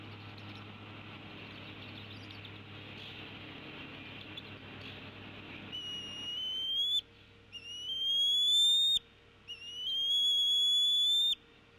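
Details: Decorah female bald eagle tea kettling at the nest toward the male as both feed an eaglet, April 2016 afternoon: quiet hiss at first, then three shrill rising whistles about one second apart, each sliding upward.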